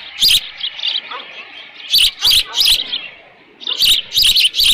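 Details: Osprey calling at the Dunrovin Ranch nest in late morning on 13 June 2018, leftover fish at hand; bursts of three or four shrill chirps separated by a quiet gap of over a second.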